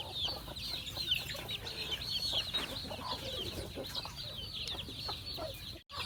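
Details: Chickens fed on a farm produce a crowded mass of shrill peeps, constantly overlapping, with low rumble in the background and a brief dropout near the end.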